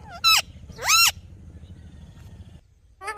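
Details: Natural sounds from a talking parrot: two loud, grating squawks close together, a pause with low rumbling background noise, then another squawk starting at the end.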